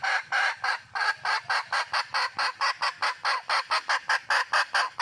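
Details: Wild red junglefowl hen calling for a male: a fast, unbroken run of harsh, nasal squawking notes, roughly four each second, steady and loud for about five seconds with little else heard.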